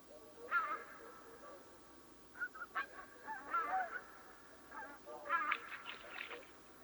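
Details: Swans before dawn call in scattered, fairly faint nasal honks and softer grunting notes, closing with a busier cluster of overlapping honks over steady background hiss.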